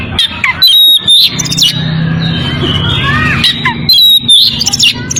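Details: Breeding-condition Oriental magpie-robin calling a rival, with loud clipped whistled bursts and sliding notes separated by quieter stretches, low hum underneath.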